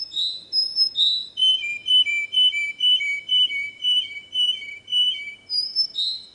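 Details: Canary song: rising swooped whistles open into a long run of pure notes alternating between two pitches, about two per second, ending in a high swoop.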